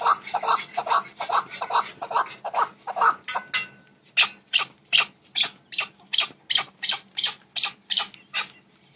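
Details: A male red-billed partridge, hatched by its owner, gives a rapid series of harsh, scratchy notes, about two or three a second, shifting from lower rasps to higher, thinner squeaks.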